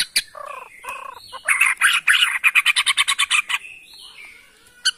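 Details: White-rumped shama of Bornean forest origin from Kalimantan: harsh buzzy notes open, followed by a fast run of about fifteen evenly spaced rasping chips, then a pause and a final sharp note.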